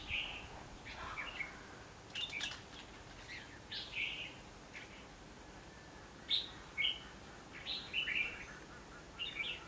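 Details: Red-whiskered bulbul used as a decoy in trapping, fighting song on 19 November 2015: repeated short warbled phrases of several bright notes, spaced about every second or two, some clicks in between.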